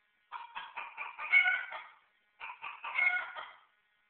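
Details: Two stuttering, laugh-like crows from a white Silkie rooster, whose voice is compared to Woody Woodpecker. Each one is a rapid string of rough pulses rising in loudness and lasting about a second and a half.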